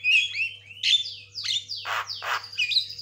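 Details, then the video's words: White-rumped shama sings a fast, varied run of clear whistles mixed with harsh, raspy bursts over a low steady hum; the song is meant as a lure to make silent birds start singing. "YANG MACET LANGSUNG CEREWET, JALBO GACOR"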